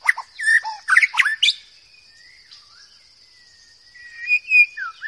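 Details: White-rumped shama of the forest, loud and melodious: a quick cluster of varied whistled and chirped notes, a pause with a faint drawn-out whistle, then a few soft sliding whistles.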